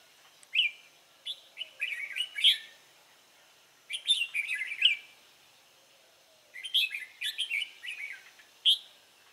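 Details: Newly caught wild red-whiskered bulbul on 23 April 2017 delivering three bubbly warbled phrases of sharp whistles, each lasting about two seconds with quiet gaps between, against faint background hiss.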